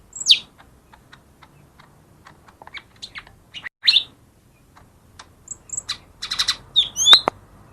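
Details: Lure recording of a lesser green leafbird for getting lazy birds to sing: sparse clicks and short sharp notes, then a denser ending of high whistles, a buzzy rattle and a rising, ringing whistle.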